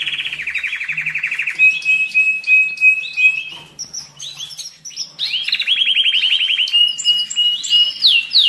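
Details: Excited canary singing, meant to stimulate males and prepare females for breeding: rapid buzzy trills around mid-high pitch, a long steady whistled note, then sharp high chips and another fast rolling trill.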